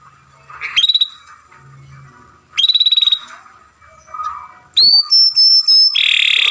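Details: Masteran song from a young canary: short bright trills broken by quiet pauses, ending in a run of high whistled pulses and a brief buzzy burst.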